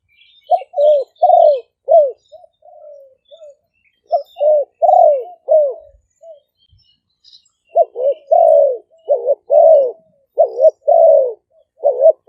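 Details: Spotted doves of Malay and 'phadphon' strains sometimes calling together, recorded on a phone at a dove camp in northeastern Thailand for luring birds: a dense run of short coos and longer descending coos, partly overlapping.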